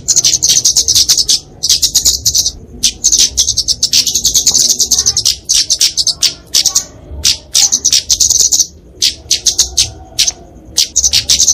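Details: Flowerpecker, local name kemade, delivering a fighting song used to train and lure songbirds: long stretches of dense, very high twittering trills alternating with short pauses, fast and insistent.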